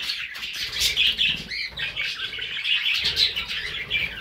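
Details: Budgerigars, housed alongside cockatiels, trade buzzy chirps and short rising squeaks, the busy overlapping warble briefly thinning in the middle before resuming.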